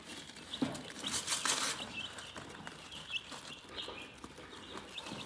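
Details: Chickens chirping calmly: repeated high peeps continue under a short burst of rustling or flapping in the first two seconds, followed by scattered tapping sounds.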